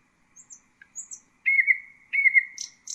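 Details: Several faint, thin high notes from a common nightingale, followed by two long level whistles and a short burst of buzzy notes.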